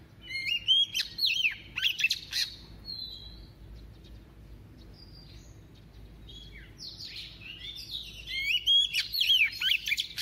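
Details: Double-voiced song of a decoy female white-rumped shama, sung to stir males: a burst of varied whistles and chatter, a quieter stretch, then another energetic run of whistled phrases.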